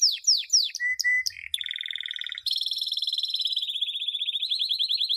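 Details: Canary singing to train chicks, opening with a few falling whistled slurs, then a short low flat note, a buzzy rattling trill and a long fast rolling tour of high notes.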